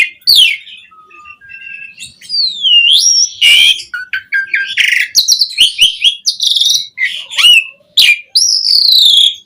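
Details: Asian pied starling in full, active song with rich mimicked material, used as a lure to get other starlings singing: varied whistled slurs, rising and falling sweeps, and sudden harsh, noisy bursts, with short gaps between phrases.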